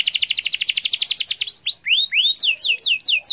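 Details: Canary in full gacor song: an even rapid trill of bright high notes for over a second, followed by arching whistled swoops that climb and drop, delivered loud and clear.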